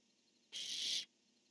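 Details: Single drawn-out rasping screech from a barn owl, part of a male-female calling exchange recorded 10-1-15; a harsh, hissing shriek lasting about half a second, steady in loudness, with silence either side.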